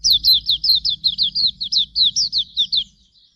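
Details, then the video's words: Hume's white-eye (pleci auriventer) training song: an unbroken run of about fourteen bright, high notes, each dropping in pitch, repeated briskly at more than two per second over a faint low hum. "Masteran Suara Burung Pleci Auriventer"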